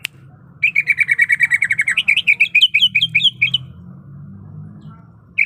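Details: A female greater green leafbird in heat summons the male with a quick run of even chirps that turns into looser, bouncing notes. Afterward a low hum carries on beneath a pause.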